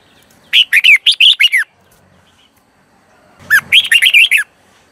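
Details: Decoy red-whiskered bulbul song for calling wild birds, made of two bubbly phrases of six or seven quick whistled notes each, bending up and down, about two seconds apart.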